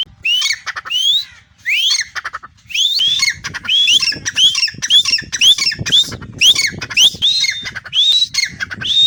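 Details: Grey francolin, one of two pet partridges, one caged and one perched on its owner's hand or arm, calling when the owner whistles, giving loud, harsh, rising squawking notes in quick bursts about one per second.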